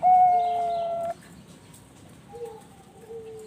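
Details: A captive-bred Bangkok zebra dove (perkutut) on a bird farm in Bekasi, West Java, Indonesia, singing actively: a loud, steady, mellow coo lasting about a second, then after a pause two softer, lower cooing notes.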